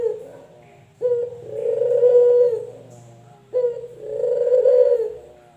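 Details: Male collared dove (puter), local or white variety: two drawn-out coos, each a short upbeat note followed by a long swelling wavering tone, over a low background hum.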